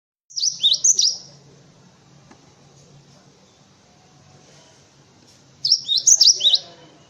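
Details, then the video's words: Cinereous tit song used as a tutor recording for white-eyes and other birds: two quick bursts of high, sharp, bouncing two-note phrases separated by a long pause, with a low steady hum underneath. "Suara Burung Gelatik Batu untuk masteran"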